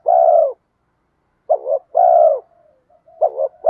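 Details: Urging 'giọng đồng' coos of a spotted dove used to pull in wild spotted doves: a long steady coo, a pause, then a wavering double note and another long coo, ending on a further double note.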